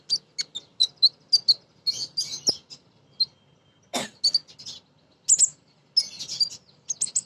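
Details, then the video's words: Female crimson sunbird calling males, played to prompt birds to sing: scattered sharp high chips, then quick twittering runs and slurred whistles, with occasional clicks and brief gaps of quiet. "Konin Betina Gacor‼️ Nyrecet Nembak Cocok Untuk Pancingan Burung Bahan"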